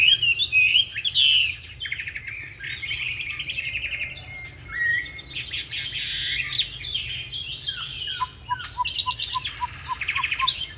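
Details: Hwamei 'Lục Đậu' fighting song for training young singers: varied melodious whistles and chattering buzzy passages, ending with a quick row of short repeated clear notes.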